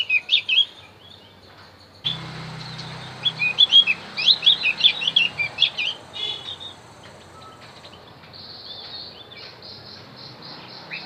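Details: Song of the Javan grey-throated white-eye, played to draw in wild birds: a short chirp, then a lively two-second tumble of high, sharp twittering notes, trailing into softer scattered chips.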